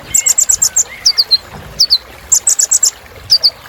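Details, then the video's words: Kolibri ninja sunbird singing a rich, varied phrase of very high, sharp chirps, rapid runs of short notes broken by downslurred twitters, repeated in short bouts. "Suara Kolibri Ninja Isian Mewah Bikin Burung Semangat"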